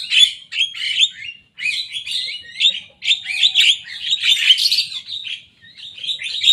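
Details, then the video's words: Young Javan myna mimicking rivals' songs in continuous phrases of grating, chirping notes with short gaps between bursts, loudest toward the middle. "Jalak kebo muda gacor bongkar suara lawan."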